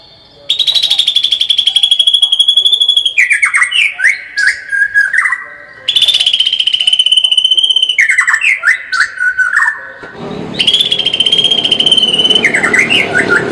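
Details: White-rumped shama singing energetically, full of rapid 'tembakan' bursts: a long high trilled note held for seconds, then falling whistled notes in stepped runs, the pattern repeating twice before a noisier third phrase.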